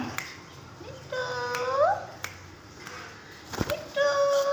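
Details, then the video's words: An angry parrot gives nasal, harmonic whining calls, one rising sharply at its end and a later steady drawn-out one, with a few sharp clicks between them. "Parrot angry today"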